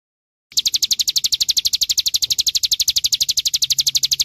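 An olive-backed sunbird sings a fast, even trill of high, sharp notes, about eight per second, held steadily for several seconds with nothing else heard.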